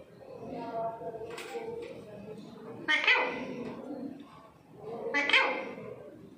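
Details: Pet Indian parrots indoors giving two loud grating screeches a couple of seconds apart, with softer chattering and a low household hum between them.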